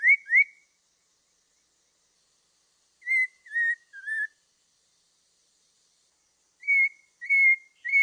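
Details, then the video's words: Black-throated laughingthrush song: short, clear whistled notes, some rising and some falling, given in pairs and triplets with long silent gaps between phrases. "Suara Burung Poksay Mandarin"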